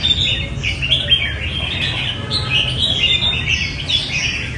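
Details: Red-whiskered bulbuls at a singing competition, before being given number tags. Dense, overlapping bright chirps and warbled whistles run almost continuously, with a low hum of background noise beneath.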